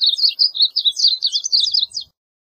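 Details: Varied bunting singing a rapid warbled phrase of high, slurred notes, about two seconds long, on a quiet background.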